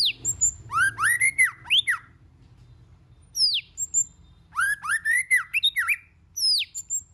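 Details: White-rumped shama singing in varied voices: two bursts of quick, rich warbled phrases with swooping whistles and high thin notes, separated by a short pause, in a quiet setting.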